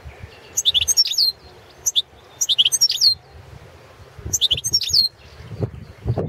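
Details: Balkan goldfinch, Carduelis carduelis balcanica, recorded for the 2017 World Championship in Goldfinch Song: short phrases of high, sparkling twitters and rising, slurred notes, repeated in bursts with brief pauses, with faint low knocks near the end.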